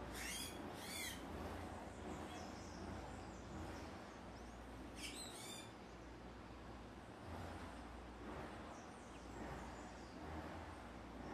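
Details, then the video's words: A female Purple-throated Euphonia (given as Euphonia chlorotica) approaching fruit amid commotion from tanagers gives two brief bursts of high, thin double notes several seconds apart, over steady low rumble and hiss. "Fim-fim fêmea"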